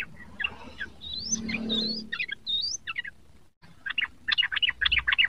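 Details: Sooty-headed bulbul, a young bird learning its song, gives rising whistled slurs mixed with short chattering notes. After a brief cut comes a quick series of clipped chirps, over a low steady hum.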